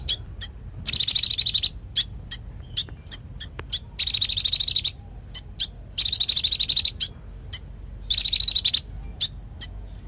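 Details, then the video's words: Konin, a captive songbird in full, lively song, used as tutor song for magpie-robins and fighter birds: very high, rapid buzzy trills lasting about a second alternate with sharp single chirps, steady low background hum. "Masteran Konin Gqcor Nembak Full isian"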